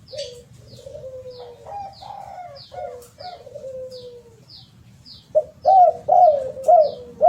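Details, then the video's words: Low, mellow cooing from a spotted dove. Soft drawn-out coos and a long sliding note come first, followed by a louder burst of four bouncy arched coos. Thin high-pitched chirps from another bird repeat steadily behind. "Kicau derkukuk"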